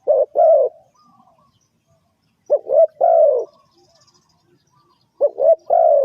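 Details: Repeated spotted dove call used as a trapping lure: phrases every two and a half seconds, each a stuttering pair of low notes then a drawn-out, descending coo, over quiet background.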